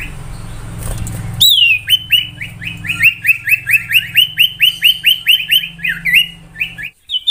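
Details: Common iora (sirtu or cipoh) whistling in song-variation style: after a low hum and noise, a long steady run of about twenty rapid, bright, slurred whistled notes follows, ending in a brief pause and one further note.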